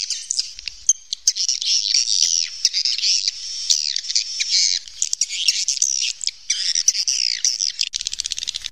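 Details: Swiftlets recorded naturally in a cave give a long, buzzy, chirring chatter of overlapping high calls, ending in a fast series of rapid clicks.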